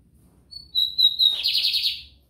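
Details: Loud, clean phrase of a lined seedeater, São Luís, Maranhão: rising sequence of thin piercing whistles leading straight into a rapid buzzy, rattling trill that fades out.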